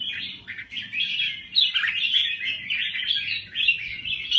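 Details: A Thai red-whiskered bulbul sings continuous fast warbling and chatter, loud and busy throughout, over a faint low hum.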